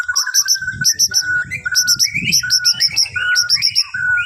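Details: Morning song of a white-rumped shama from Borneo, meant to set other birds singing: repeated clusters of sharp high chips over steady whistled notes and upward slurs, with low rumbling noise underneath.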